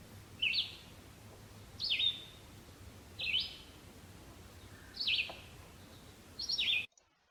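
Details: Red-eyed Vireo singing slurred phrases: five high whistled phrases, several notes slurred together in each, given roughly every one and a half seconds in an uneven rhythm, with faint low hum behind.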